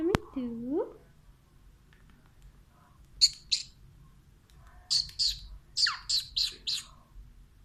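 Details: A pet talking Alexandrine parakeet, speaking Urdu/Hindi, gives a short voice-like phrase with a sliding pitch, then a run of harsh, high chattering bursts, several per second.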